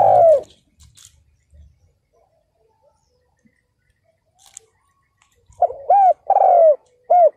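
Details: Spotted dove acting as a ground decoy to excite wild males: a single coo, then faint taps and clicks, then a full phrase of short rounded coos and a long descending coo near the end.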